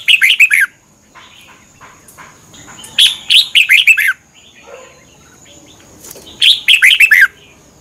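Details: Thai Red-whiskered bulbul singing, a recording for teaching or stirring up caged birds: three rapid bursts of chirpy, down-slurred whistled notes, separated by quiet gaps with softer distant twittering.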